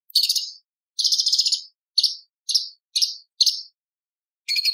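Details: Light-vented bulbul in 'tembakan' style song with 'isian' fill-ins copying lovebird, parakeet, ciblek and pancawarna: a fast trilled burst, then a string of high, sharp, downward-slurred chirps, ending in another rapid trill.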